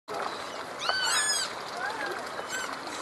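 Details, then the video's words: Great kiskadee feeding three nestlings at the nest in Parque Celso Daniel, Santo André; a few short, high, harmonic calls, one arched and ringing, heard over steady broadband background noise. "Bem-te-vi (Pitangus sulphuratus) alimentando filhotes"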